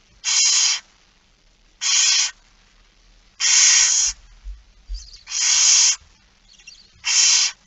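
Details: Barn owl begging while being fed, 13 September 2019, 06:57: five loud, hoarse hissing bursts, with softer short hisses and low bumps heard between the later ones.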